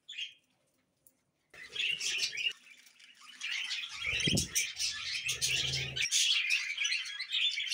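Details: Pet budgerigars: after a brief near-silent start, a burst of busy high chirps and warbled chatter, with low fluttering or shuffling noises in the middle.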